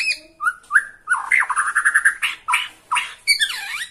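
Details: Caged Bornean white-rumped shama singing excitedly at the sight of a rival: varied whistled phrases, a rapid series of bright repeated notes, harsh buzzy bursts and a final swooping V-shaped whistle.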